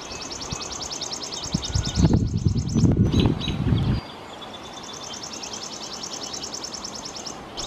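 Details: Red-capped chipping sparrow singing energetically, giving long, fast trills of high, sharp, evenly repeated chips, one at the start and another after a pause, with a burst of loud low rumbling noise between them.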